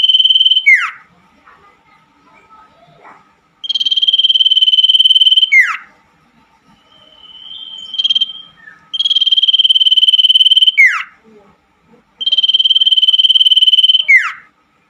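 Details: Common iora, or cipoh, night song offered to revive birds that have gone silent: repeated long, rapidly pulsed whistled trills at one pitch, each ending in a quick downslurred note, with a short softer trill between and quiet gaps.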